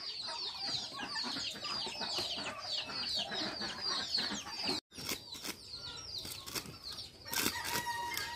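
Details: Turkeys at a farm in Kolkata near Sangrampur station: a dense flock chorus of high, rapid chirps and peeps overlapping continuously, broken by a brief cut midway, with clattering or flapping noises toward the end.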